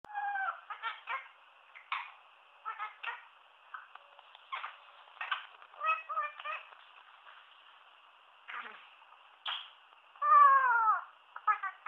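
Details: A one-year-old male pet Indian ringneck parakeet talking, chattering in short word-like bursts with rising and falling tones and a shrill whistled edge; a faint steady high tone runs underneath.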